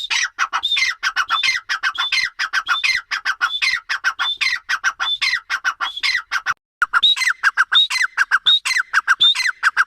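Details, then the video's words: Grey francolin in a sustained loud calling bout of harsh, squawking phrases, each with a high whistled note and rapid falling syllables, repeated continuously with a brief pause near the middle. "Teetar ki awaz l teetar sound l teetar vioce l gray francoline"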